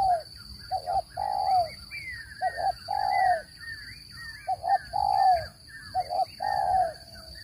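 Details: Spotted dove cooing used as a trapping lure: pairs of short low coos leading into a long, slightly descending coo, repeated rapidly, with thin chirps from other birds above and a constant high whine.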